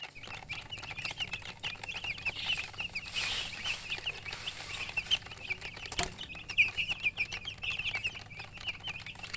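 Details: Newly hatched chickens peeping loudly, many short high chirps overlapping in a dense chorus, with a brief burst of rustling noise near the middle and a faint low hum beneath.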